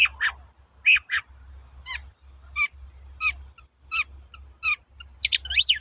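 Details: Long-tailed shrike in a training lure recording: spaced single notes, each a sharp descending slur, repeated roughly every half second to second, closing with a quick, squeaky flourish.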